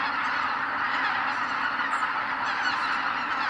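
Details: Greater white-fronted geese leaving their night roost at sunrise at Kabukuri-numa, Miyagi, Japan; a dense, unbroken wall of overlapping honking calls from many birds fills the whole stretch, steady in loudness throughout.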